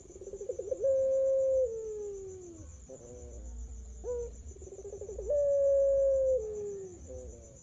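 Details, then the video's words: Champion contest turtle dove of the puter pelung song style, a master recording used to prompt other doves to sing: deep cooing, each phrase opening with stuttered notes then a long steady note sliding lower, given twice, over a constant high electrical whine. "Masteran Puter Pelung"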